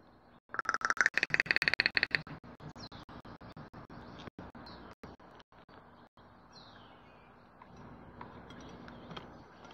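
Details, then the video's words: Crow giving a 'kraa' vocalisation, recorded 3 March 2022: a harsh, harmonic-rich burst of rapid pulsed notes in the first two seconds, then quieter background with repeated clicking interruptions. "Crow 20220303 123254 CU Kraa voc"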